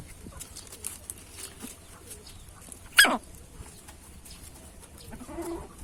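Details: A choking hen, caused by greedy eating, gives one abrupt, noisy hiccup near the middle of an otherwise quiet stretch, with faint low murmurs after it.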